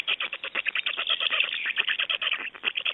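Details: At an Estonian black stork nest on 29 May 2012, during changeover and feeding, a loud, continuous run of rhythmic, wheezy pulses comes about ten per second, evenly repeated throughout.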